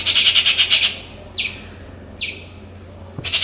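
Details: Rufous treepie making loud calls in its natural habitat: a rapid grating rattle, then two separate harsh downslurred rasps and the start of another chatter burst.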